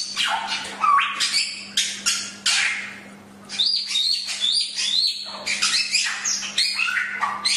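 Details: Chinese hwamei singing a training-recording song: loud, varied phrases of clear rising and falling whistles mixed with harsh, buzzy notes, a short pause near the middle, then fast whistled runs over a faint steady low hum.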